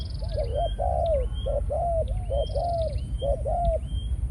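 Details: Spotted dove used as a decoy, Malaysian line, in breeding mode, pouring out dense rolling coos, several drawn out and falling, accompanied by bright upslurred whistles of other small birds.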